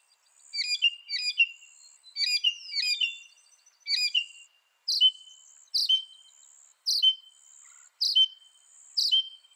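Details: Northern mockingbird giving clusters of quick chirps, then switching to a series of crisp, sharp notes, each followed by a short whistled tail. The notes repeat roughly once a second against a faint high hiss.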